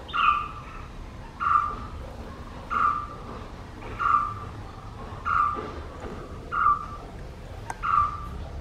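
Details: A Red-whiskered Bulbul, a wild bird at a birdbath, gives a clear, mid-pitched call note with a short falling tail, seven times at about 1.5-second intervals, over a low traffic rumble.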